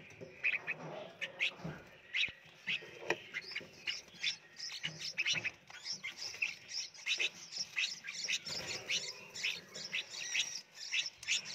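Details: Red-whiskered bulbul chicks raised in a nursery box in Phetchaburi, Thailand, taking turns being hand-fed. A dense chorus of short, high chirps and squeaky cheeps overlaps continuously, several chicks calling at once, with faint handling noise behind.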